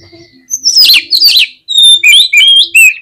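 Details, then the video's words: Agitated, provoking song of a caged oriental magpie-robin: loud, harsh buzzy notes, then clear whistled slurs that rise and fall, in quick separate bursts, with a faint soft warble before them. "SUARA KACER GACCOR CEPAT BIKIN EMOSI KACER NAIK DI GANTANGAN AUTO KONSLET"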